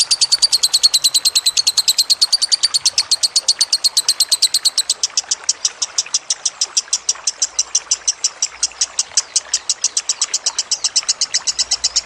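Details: Lovebird song for masteran training over trickling water: a long unbroken stream of high, rapid chirps, about eight per second, holding steady in loudness, with faint low thumps near the end.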